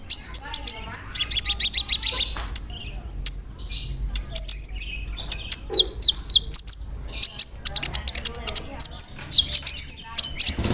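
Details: Kolibri ninja sunbird song used to provoke other birds to sing, delivered as a long roll with imitated fill-ins. Rapid bursts of very high, thin chirps, then varied sharp tweets with brief pauses between phrases.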